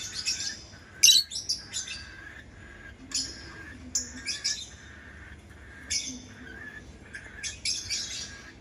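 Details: Lovebird producing scattered high, thin chirps and short squeaky notes, one loud sharp burst early, then softer spaced calls.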